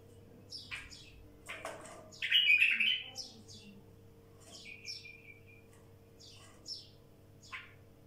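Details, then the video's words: Wild bulbul singing: sharp scattered chirps and short whistled notes, a loud rich phrase after two seconds, then a steady level whistle near the middle, over a faint low hum. "تغريد بلبل وحشي"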